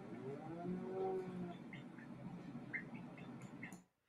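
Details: Atlantic puffin from a summer seabird colony on an island in the Gulf of St. Lawrence gives a low, drawn-out groaning growl, strongest in the first second and a half, over a noisy indoor background with faint high chirps.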